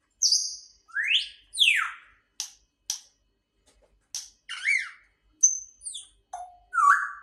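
A grey parrot gives a quick run of clear whistles: sharp rising and falling sweeps, short clicks and steady piping notes, about a dozen over seven seconds.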